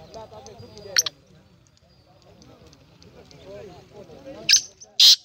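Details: Black francolin (kala teetar), 19 April 2020: one harsh raspy note early, then two loud grating notes at the close, separated by a stretch of background music and voices.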